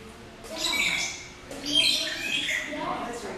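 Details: Magpie shrikes at the Philadelphia Zoo, in the African Savanna section of the McNeil Avian Center, give two harsh, scratchy squawking bursts about a second apart, laced with brief high whistled notes; a faint voice may be in the background.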